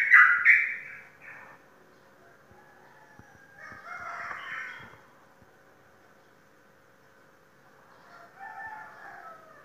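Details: Sooty-headed bulbul, a caged contest bird that has won championships in Indonesian singing competitions: short bubbly, warbled phrases around the middle pitches, given in three bursts separated by quiet pauses.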